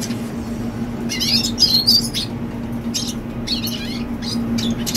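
A young red siskin sings in short bursts of high, rapid, scratchy twittering and warbled notes, over a steady low indoor hum.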